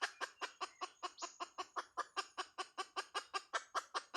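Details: Hen giving a continuous series of sharp, raspy clucks, evenly spaced at roughly five per second, each note short and bright with a quick decay.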